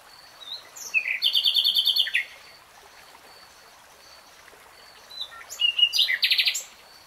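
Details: Common nightingale sings two rich phrases about four seconds apart, each built from a rapid, even rattle of repeated high notes after a short rising lead-in, over a low steady hiss.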